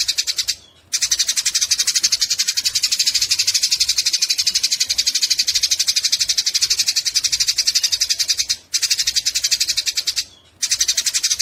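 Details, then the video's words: Eurasian tree sparrows fighting, their chatter used as tutor audio for songbirds: a dense, harsh, continuous chattering of rapid buzzy chirps about four per second, broken by two short pauses. "Masteran burung gereja tarung"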